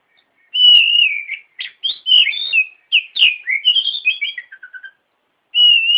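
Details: Loud white-rumped shama song as a training recording: a long clear whistle, quick varied chirps and slurs, a descending series of short notes, then another sustained whistle.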